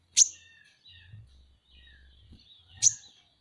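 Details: Van Hasselt's sunbird, called kolibri ninja, as masteran: two bright, piercing high chirps about two and a half seconds apart, with faint thin twittering and soft low knocks in between.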